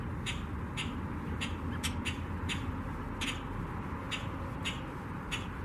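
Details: Common Grackle contact call, live, with another grackle answering: short, harsh, clicking chack notes repeated irregularly about every half second, over a constant low rumbling background noise.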